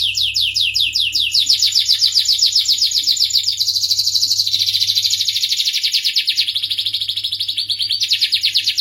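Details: Starblue canary in sustained song: fast repeated downslurred notes, then a dense buzzy roll, then a long very rapid high trill carried on without pause; low hum fading out partway.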